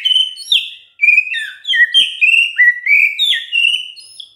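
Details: Continuous gacor singing from a white-rumped shama: bright whistled phrases, each swooping down then up, follow one another almost without a break for over four seconds.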